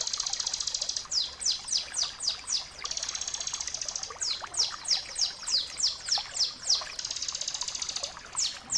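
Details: Bar-winged prinia, crystal-style song, a master recording used to train caged birds to sing often: a flat buzzy high trill alternates with runs of six or seven sharp, high, downward-sweeping whistled notes, all loud and clear, against faint background hiss.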